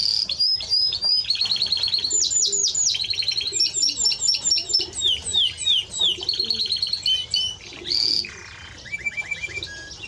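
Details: Song of a Timbrado Español canary: loud varied phrases of rapid repeated slurred whistles and clicking trills, shifting pitch between tours, with a brief harsh buzzy burst and a low whistled run near the end.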